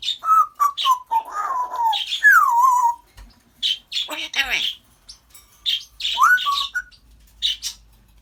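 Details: Pet African grey parrot chattering away indoors: wavering whistled notes sliding downward, a long falling whistle, sharp clicks and short buzzy bursts in quick, irregular succession, with brief pauses between phrases.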